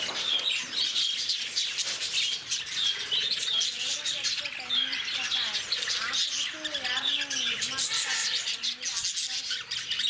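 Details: Captive lovebirds at Bannerghatta Zoo in Bangalore: a dense, continuous wash of high, shrill chirps and squeaky twitters from many birds, with people talking in the background throughout.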